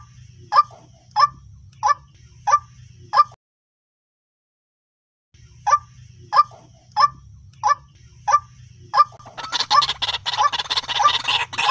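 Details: White-breasted waterhen lure call for trapping birds: evenly spaced hoarse notes, a pause of about two seconds, more notes, then a burst of loud noisy calling at the end.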